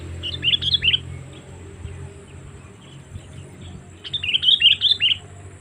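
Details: Two bubbly chattering phrases from a sooty-headed bulbul, used as a lure call for wild birds, each a rapid run of four to five liquid chirps, separated by about three seconds of low background noise.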